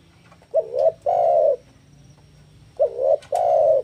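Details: Two song phrases from a spotted dove, recorded to lure and train doves. Each pairs a short wavering coo with a longer steady coo, with gaps of soft hum between them.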